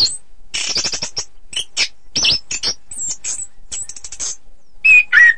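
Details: Orange-headed thrush singing as contest training material: quick stuttering chips and rattles, scattered high squeaky notes, ending with two loud clear whistled slurs.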